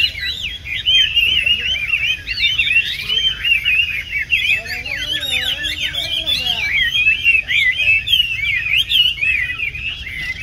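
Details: Tame caged Chinese hwamei with yellow legs and yellow bill, a large bird kept for display singing in cafés, pouring out a dense, fast, continuous song of twisting whistled and warbled notes, with a lower wavering phrase midway.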